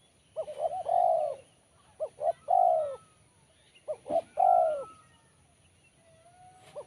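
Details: Crisp, sharp-voiced spotted dove song of the 'kuk 1' type: three phrases, each a pair of brief notes leading into one long sliding coo, with short pauses between phrases.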